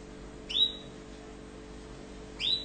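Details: Orange Tunisian canary giving two short, bright upslurred whistled chirps about two seconds apart, each rising sharply then levelling off, with a steady low hum underneath.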